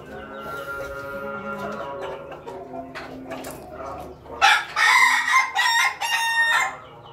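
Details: Ayam Ketawa, the laughing chicken, crowing in the morning: a long sustained harmonic note, then a loud burst of rough stuttering syllables in quick succession, with faint background clatter.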